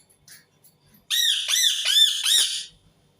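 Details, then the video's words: Near-quiet opening gives way to four loud, harsh, arching screams from an Indian ringneck parakeet, spaced about a third of a second apart. "صوت ببغاء الدرة الهندي"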